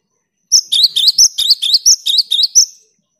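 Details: Vigorous cinereous tit singing to stir silent tits into song, a brisk series of about ten high, piercing double notes repeated rapidly for over two seconds, each dropping then flicking upward, in a clean quiet setting.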